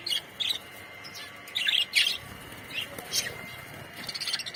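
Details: A budgerigar colony chattering, with several bursts of high, warbling chirps every second or so over a constant background hiss.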